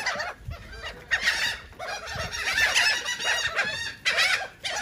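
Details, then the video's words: Feeding seagulls in Atlantic City, New Jersey, going after cake, with repeated surges of excited squealing cries between quieter gaps and faint thuds. "Seagulls are eating Cake"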